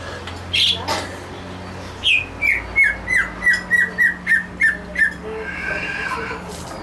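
A Straw-headed bulbul gives a run of about ten rich, slurred, downward notes, roughly three per second, over a low steady hum.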